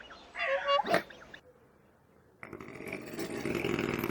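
A swan gives one nasal, wavering honk lasting about a second, then a pause. A steady rush of wind or water noise follows.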